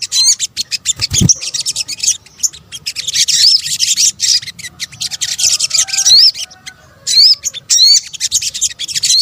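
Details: Sogok ontong, a sunbird, in a combined lure track: a steady stream of sharp, high, ticking chirps. Brief rising-then-falling whistled slurs break through now and then, and a low thud sounds early on.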